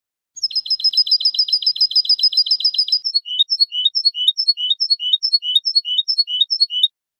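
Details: European goldfinch, clean-style song, 2015 recording intended for tutoring young birds. Opens with a dense, very rapid trill of tiny high notes for about three seconds, then shifts to a slower chain of rising two-part whistled phrases. No background noise.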